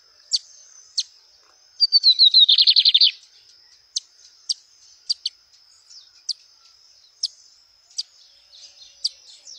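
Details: Lined seedeater singing outdoors: falling whistled notes quicken into a dense buzzy trill of about ten pulses, followed by a string of crisp single chips spaced roughly half a second apart. A steady high insect whine runs throughout.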